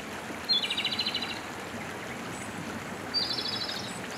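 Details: A Japanese robin (Larvivora akahige) sings in Hiroshima in 2019: two high phrases, each a clear opening note dropping into a fast, ringing rattle, about three seconds apart, over steady running-water hiss.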